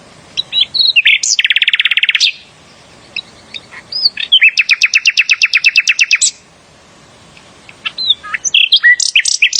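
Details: Bulbul, known locally as Sikatan Londo, in loud song: two long, fast rattling trills of evenly repeated notes, with short upslurred whistles between them and a burst of sharp whistled notes at the end.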